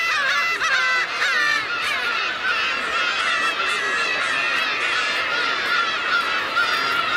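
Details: Winter gathering of black-tailed gulls on Kabushima, New Year's Day 2015, unusually numerous for the season; a dense chorus of nasal, mewing cries overlaps continuously, with wavering and down-slurred notes from many birds at once.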